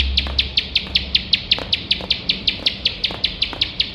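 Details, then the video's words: Unbroken nembak song of a bar-winged prinia, meant as teaching material for competition birds: sharp high notes struck in quick regular succession, near five a second, with faint hiss and low hum. "ciblek sawah gacor nembak nembak tanpa HENTI"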